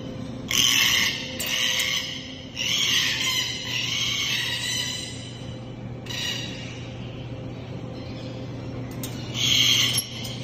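Red-tailed black cockatoo giving harsh, grating, rolling screeches in about five bursts over ten seconds, with a steady low mechanical hum underneath.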